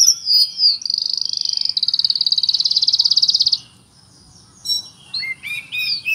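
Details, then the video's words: White-rumped shama song filled with cricket mimicry: a long, fast, evenly pulsed high buzzing trill lasting about three seconds, like a cricket's chirping, then a pause and sharp rising whistled notes. "Kacer mewah full isian jangkrik"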